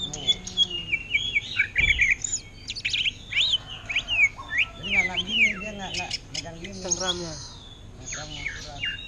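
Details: Greater green leafbird, caged and offered for sale, sings an orange-headed thrush style ngentrok song of varied whistles, steep up-and-down sweeps and rapid chattering notes, with a faint low background hum.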